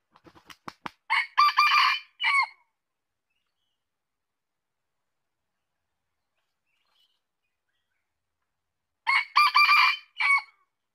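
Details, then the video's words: A wild red junglefowl crows twice, about eight seconds apart. Each crow is a short run of hoarse, clipped notes cut off abruptly, and a quick burst of wing flaps comes before the first. "Suara ayam hutan | Chicken fowl sound"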